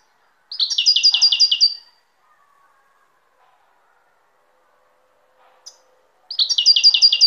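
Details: European goldfinch singing: two bursts of quick, high, repeated twittering notes, the first about a second and a half long, the second starting near the end after a long silence.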